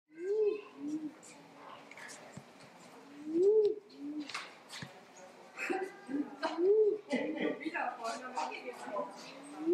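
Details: Crested quail-dove, a dove endemic to Jamaica, giving low calls: a rising-then-falling hoot followed by a short lower note, the pair repeated about every three seconds, with other birds chirping and buzzing in the background.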